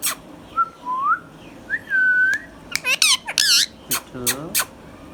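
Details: Pet Indian ringneck parakeet, green and hand tame, gives soft rising whistles, then a quick run of harmonic chattering squawks and sharp screeches, some dropping in pitch, indoors.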